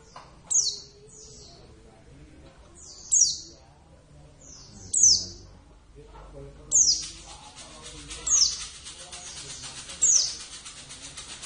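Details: Caged Javan Oriental white-eye, a kept pet bird, singing short high descending chirped phrases about every two seconds, six bursts, with faint low voices in the background.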